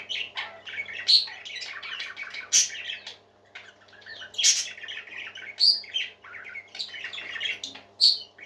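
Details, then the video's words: Cheerful parakeets fill the room with continuous twittering chatter: quick clicky chirps and short warbles, interrupted by sharp, piercing squeaks roughly every one to two seconds, over a low hum. "Happy Parakeets Singing"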